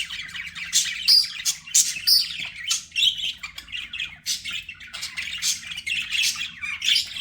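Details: Pet budgerigars warble in quick, buzzy phrases mixed with sharp chips and short whistles, coming in uneven pulses about once a second.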